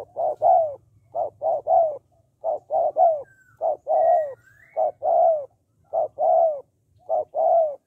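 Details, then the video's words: Spotted dove calling to stimulate males to call quickly: low, loud hooting coos in grouped phrases of two to three notes, a steady rhythm of about fifty notes a minute, with a faint higher chirp in the background. "Tiếng Cu Gáy Giọng Hạp BổI - THÚC Kích Bổi Nhanh Nổi"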